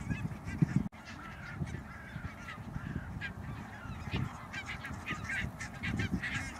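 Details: A flock of barnacle geese at Schouwen-Duiveland and Goeree-Overflakkee, Netherlands, on 16 March 2009, gives a dense, overlapping chorus of short, yapping barks over a steady low wind rumble.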